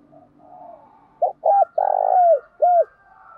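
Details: Spotted dove decoy call in the 'thổ bầu' voice style, used to lure wild doves: soft low cooing, then a short clipped note, a hooked coo, a long loud buzzy coo and a final downward-curving note.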